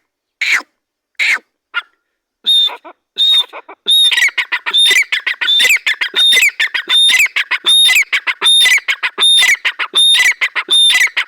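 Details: Grey francolin calling: harsh, squawking notes repeated about once a second in a steady rhythm, each with a clear high whistled overtone, after a few separate opening notes; no other sounds.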